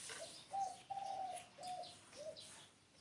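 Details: Spotted dove cooing a soft, hollow phrase of four to five low notes, a short lead-in, two drawn-out coos, then a clipped final note, with faint high chirps behind it.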